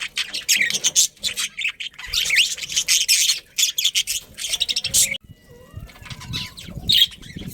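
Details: Colony of budgies, including a breeding pair, producing continuous loud, buzzy chirping and harsh chatter for about five seconds, then a sudden drop to faint whistles and a final high chirp.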